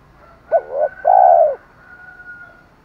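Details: Spotted dove giving a decoy call in the 'thổ pha thúc đấu' style, used to lure wild birds: a short low coo followed by a longer, steady, hollow coo. A faint, thin, higher-pitched tone runs underneath.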